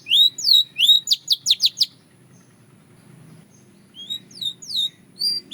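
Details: Short bursts from a Belgian canary: looping whistled notes and a quick run of sharp chips, then a quiet gap before softer slurred whistles resume.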